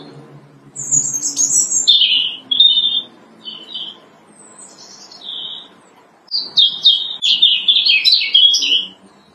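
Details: Robin singing loudly on branches in early spring, in March; a run of high, thin, twittering phrases with brief gaps, ending in a dense, jumbled flourish of warbled notes.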